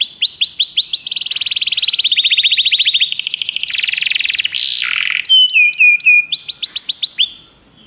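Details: Canary song played to stimulate a pet canary: rapid whistled notes lead into a long buzzy trill and a harsh rasping section. Crisp paired whistles and quick downswept notes follow before it fades.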